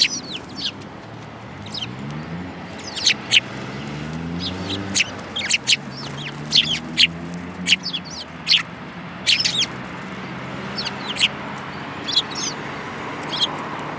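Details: Several sparrows, one with a yellow beak, on 5 February 2018, chirping busily in a steady stream of short sharp notes, often in quick pairs, over a low droning background with rising and falling tones.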